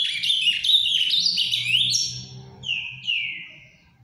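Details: Ultramarine grosbeak kept in captivity, giving its Paraná-style song softly: a busy run of chattering whistles, then two clear downward-sliding notes spaced about half a second apart as the phrase ends.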